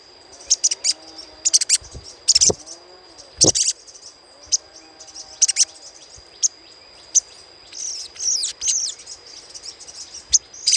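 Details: Little spiderhunter chattering, played as a lure: sharp, very high chips and short bursts of rapid twittering, some in quick clusters, separated by brief pauses, with a steady high whine and faint low hum behind.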